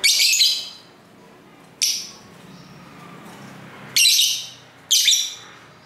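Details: Lovebirds kept at home sing and talk to each other in four loud, harsh, high chattering bursts, each under half a second, with quiet gaps between. Recorded on a camera's internal microphone.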